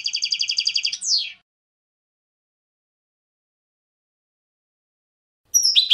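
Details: European goldfinch: a rapid, even trill of about a dozen high, ringing notes ending in a falling slur, followed by a long silence and the start of another high phrase.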